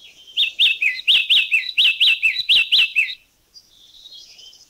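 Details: In Thailand, a yellow-cheeked tit gives a steady run of about twelve bright, high, slurred chip notes over three seconds, ending abruptly; a faint thin high call follows.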